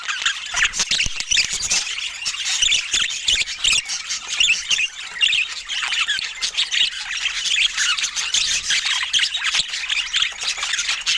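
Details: Budgerigars chattering in dense overlapping squawks and chirps, many short buzzy and warbling notes mixed with sharp clicks and faint rustling, continuous throughout with no music or speech.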